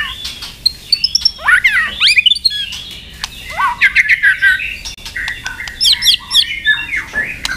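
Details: Fighting song of a white-rumped shama, used for training and stimulating other birds: rapid, varied bursts of whistles, chirps and harsh squawky notes, several phrases a second, with sharp clicks between them.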